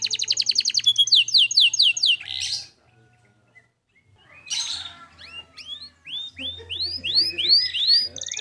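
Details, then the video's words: Training song of a clear-voiced canary: a fast high trill and descending sweeps, a short silence, then scattered notes followed by loud arched whistles repeated about twice a second. "Masteran Kenari Gacor Suara Jernih"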